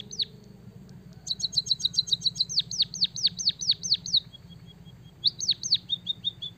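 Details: High-pitched white-headed munia song with canary mimicry. A fast, fizzing trill leads into regular falling whistled chirps, a line of faint ticks, then two more swooping notes and soft ticking.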